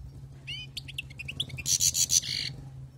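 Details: Wild-caught European goldfinch song: fast twittering notes, clipped chirps and a few harsh buzzy elements in a dense two-second phrase over a steady low mechanical hum.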